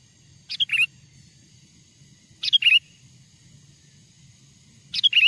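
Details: Sooty-headed bulbul lure song used to attract wild bulbuls closer: short bright whistled phrases, a rising note then warbling dip, repeated about every two to two and a half seconds, with a faint low hum beneath.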